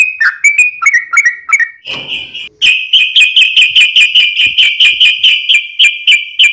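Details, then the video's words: Energetic gacor ngalas ropel song of a yellow-vented bulbul: jerky warbled notes, a brief rustle, then a fast, steady train of bright repeated notes. "KICAU SUARA trucukan gacor TARUNG NGALAS ROPEL"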